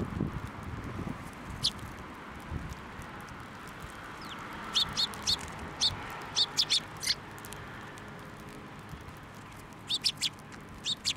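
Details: Sparrows flying onto a hand to be fed at a Tenmangu shrine on 21 December 2023; short high chirps come in scattered bursts, a quick run midway and another cluster near the end, over steady low background rumble.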